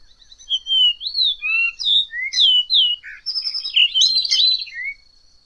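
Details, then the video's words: Variable oriole (encontro) song: a varied series of clear, sliding whistles, some rising and some falling, followed by a busier burst of twittering notes, against a steady faint high tone. "Canto do Encontro Icterus Pyrrhopterus"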